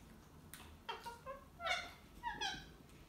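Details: Two pet ringneck parrots arguing: a quiet series of short, harsh, harmonic squawks, some falling in pitch, spaced irregularly over a few seconds against a soft background hiss.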